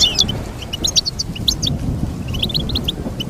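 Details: Goldfinch twittering in quick, scattered liquid notes over a steady low background hum.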